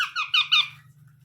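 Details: Short, hoarse, wavering squawk from a baby parrot, with two louder peaks, over a low steady hum.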